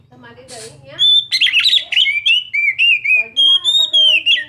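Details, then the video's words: Singing young Oriental magpie-robin delivers rich, rapid whistled phrases and sliding notes, repeated about three times per second, after a soft opening of low murmuring sounds and a hum. "Kacer mana yg gk akan bunyi denger suara kacer muda"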